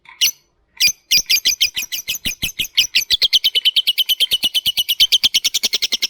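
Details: Lovebird giving a long ngetik ngekek chattering song, used as a prompt to get other lovebirds singing: after two brief opening chirps, a rapid run of sharp, clicking high notes repeats about three times a second and grows steadier.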